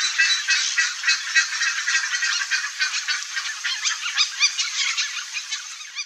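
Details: A nesting pair of red-bellied macaws giving harsh, squawking calls in quick, uneven runs of several notes a second, layered over a dense, busy chatter of other high calls.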